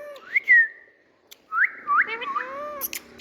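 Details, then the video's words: Indian pet parrot giving rising whistled slurs followed by a short run of looping, speech-like harmonic notes, with a click near the end. "Parrot Beauty🥀Bird Indian🤍Tutu Love Talk"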